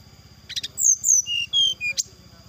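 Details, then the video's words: Brown-chested jungle flycatcher song used as a lure to provoke rivals: buzzy notes, then clear whistles stepping down in pitch, ending in a sharp high note, over a steady high tone and a low rhythmic pulsing hum. "suara pancingan srdc agar lawan cepat emosi gacor,auto langsung cepat respon.."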